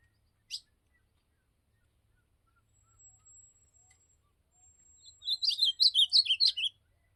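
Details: Field outing (campeada) for azulão, the ultramarine grosbeak: a single sharp click, then a thin, steady high whine and soft murmurs, followed by a quick, jumbled warbling phrase of chirpy, slurred notes lasting about a second and a half.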